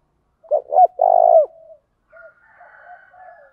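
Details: Spotted dove lure bird, voice style thổ pha đồng, cooing to urge combat. One loud phrase of two quick hollow notes and an extended purring coo, followed by quieter answering coos from another dove.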